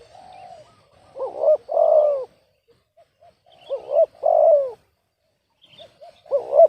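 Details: Spotted dove with a voice described as off-key, giving low hollow coos: two short rising looped notes, then a long loud coo that slides downward. The phrase repeats about every two and a half seconds, with faint soft chirps in the background.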